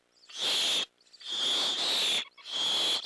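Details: Three rough, breathy hisses of about half a second to a second each, separated by brief silences, from an owl hissing defensively at night near owlets waiting to be fed.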